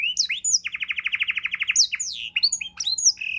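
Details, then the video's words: Domestic canary delivering a varied tutor song for training songbirds: upward-sweeping whistles, then a steady rapid trill of about twenty even pulses, then mixed chirps and glides. "kenari isian mewah‼️sangat cocok untuk masteran burung abda"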